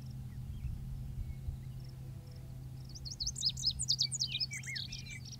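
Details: Male lazuli bunting singing in the open in summer, a rapid jumble of high, sharp varied syllables bursting out after about three seconds of quiet, over a steady low rumbling hum.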